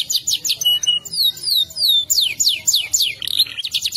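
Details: Domestic canary singing in a long rolling style, meant as a master recording for teaching birds: a varied stream of quick slurred whistles and sweeping high notes, ending with a fast rattling trill.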